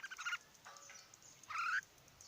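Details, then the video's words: Red-whiskered bulbul in Odisha: a brief stuttered burst of notes, then a fainter note and a louder, rising slurred call near the end. The background is quiet. "Red whiskered Bulbul birds"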